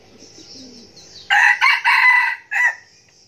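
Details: Crowing red junglefowl, a decoy bird kept for its frequent crowing, delivers four loud clipped syllables in quick succession, the last one short and separate, after faint insect buzzing.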